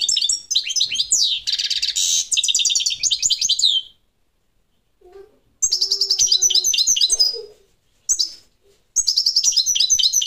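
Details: A goldfinch of the parva form delivers lively, high-pitched tinkling song in long bursts of rapid twitters and buzzy trills, separated by a few seconds of near silence and a soft low sound.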